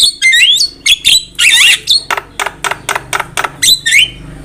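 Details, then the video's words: Lure recording of Javan myna (jalak kebo) song for trapping: quick whistled upslurs and downslurs, then a harsh buzzy burst followed by a steady series of about eight short rasping notes, ending in a swooping whistle. "Pancingan suara burung jalak kebo gacor masteran burung jalak kebo gacor"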